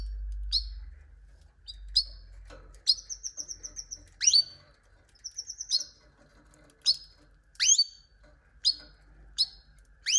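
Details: Canary giving sharp rising chirps at irregular intervals, with two short rapid trills of bead-like high notes near the middle, in otherwise quiet surroundings with a faint low hum.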